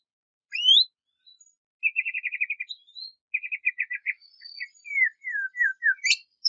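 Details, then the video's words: White-rumped shama (murai batu) singing to provoke a rival: a rising whistle, then rapid trills of short notes near the middle of the range and a run of descending slurred whistles, with brief gaps between phrases. "KICAUAN SUARA MURAI INI MEMANGGIL LAWAN"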